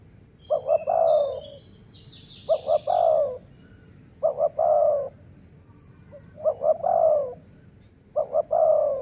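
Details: A dove used for decoy luring gives five even phrases. Each has two quick low knocks followed by a drawn-out descending coo, repeated roughly every two seconds. Faint high twittering from other birds is heard early on.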